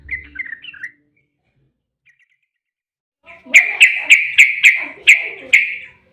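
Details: Yellow-vented bulbul song played to prompt other bulbuls to reply. A brief chattery burst comes first, then a pause, then a regular series of about eight sharp, bright notes in quick succession.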